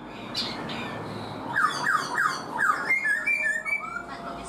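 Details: Black-throated laughingthrush, caged four months. Soft high notes open, then four quick downslurred whistles and a string of level, thin whistled phrases.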